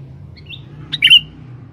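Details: A male sooty-headed bulbul in a forest, used as a lure, gives a faint chirp, then a quick burst of bright, slurred notes over a low, steady background hum.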